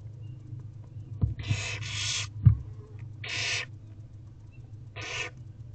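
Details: Barn owl owlets begging in Owl Box C while their mother feeds them torn-up prey after the father's ten overnight deliveries, 10:08 am, 15 April 2023: three harsh hissing screeches, each about half a second long, over a low steady hum.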